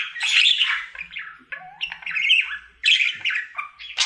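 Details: Male budgie singing his daily routine at home: harsh squawking phrases, a short rising whistle and scratchy chatter, delivered in clipped bursts over four seconds.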